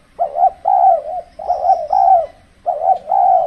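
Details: Spotted dove as a trapping decoy in the extreme cold season; two clear coo phrases, each a quick stuttered note followed by longer, slightly falling coos, and a faint distant chirp.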